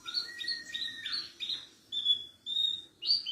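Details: Javan bush lark song used to train other birds: varied phrase of paired high chirps over a long lower whistle, then a rough burst, followed by long level whistles separated by short gaps.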